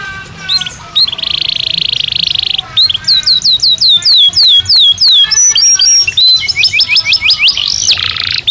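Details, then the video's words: Belgian canary singing naturally, used to train birds to sing: a long buzzy trill near 3–4k, then rapid repeated descending whistled notes and sweeping upslurs, loud and continuous. "Som de 1 Hora com Canario Belga Cantando Naturalmente"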